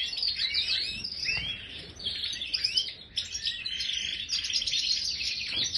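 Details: Caged European goldfinch of the Major form singing a fast, bubbling twitter of bright chirps, tinkling notes and buzzy trills, with a brief pause midway before the chatter resumes.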